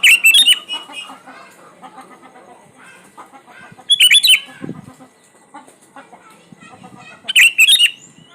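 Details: Sooty-headed bulbul lure song for birds that rarely sing. Loud, chirpy warbled bursts recur about every three and a half seconds. Softer chattering and clicking fills the gaps, with a low thud in the middle.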